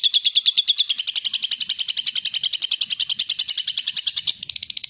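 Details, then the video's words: Lovebird producing a long, clear chatter used as a lure: fast evenly spaced high pulses, about nine per second, continuing for nearly five seconds with a slight shift in tone near the end. "Lovebird Latah Ngekek Panjang dan Jernih Pancingan Love Bird Agar Cepat Ngekek Jernih"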